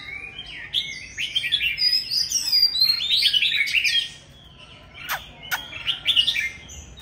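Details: Loud-singing old forest Oriental magpie-robin: fast varied whistled phrases for four seconds, a pause, then sharp downward sweeping notes and more whistles.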